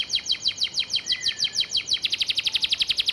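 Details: Canary with gereja-style filling sung as master vocal: evenly spaced, high, steeply falling notes, accelerating after two seconds into a tight, rapid trill.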